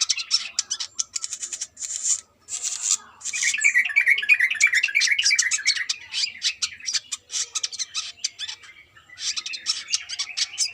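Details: Brown-throated sunbird, described as a female calling a male, giving rapid high chirps and tinkling twitters, with a run of lower sweeping notes in the middle, dense and continuous for about eleven seconds.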